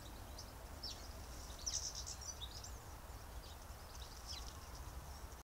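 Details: Redwing, a winter visitor arriving in early December, giving thin, high, short downslurred calls scattered across a few seconds, one louder note near the middle, over a steady low rumble of background noise.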